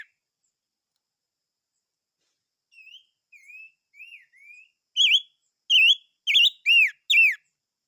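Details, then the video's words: Silver-eared mesia song building from four soft, wavy whistles into five loud, sharp slurred whistles given about every half second. "Chim Ngũ Sắc Hót - tiếng chim ngũ sắc hót"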